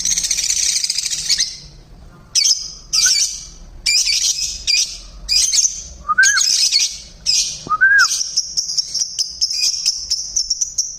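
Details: Loud, noisy lovebirds kept in a mini aviary give harsh, shrill squawks in bursts with short pauses, a few sharp rising whistles among them, then a steady high rapid twittering to the end.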